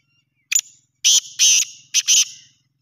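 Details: Black francolin in Pakistan calling: one short sharp note, then three loud, harsh, grating notes in quick rhythmic succession, with near silence around them.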